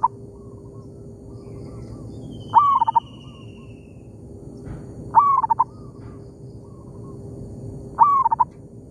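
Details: Local zebra dove in an oil palm plantation, calling back and forth with a decoy bird: loud mid-pitched coo phrases, each a rising note followed by a quick stutter of short notes, about every 2.5 seconds. Fainter answering coos come between, over steady hum.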